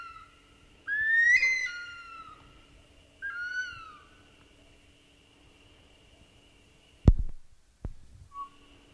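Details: A bush stone-curlew (Burhinus grallarius) gives two eerie wailing whistles, the first sweeping up then sliding down, the second a shorter falling wail, over a steady hum and a couple of knocks.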